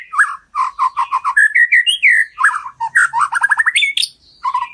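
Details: White-rumped shama giving complete filler song for tutoring: rich, varied whistles, short rapid note bursts and rising slurred phrases in quick succession, loud and clear with no other sound.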